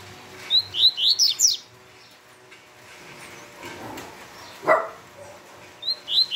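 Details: Double-collared seedeater delivering its fast Tui Tui style song: a burst of about five high, upslurred chirping notes, a quiet pause with a low thump, then the phrase starting again.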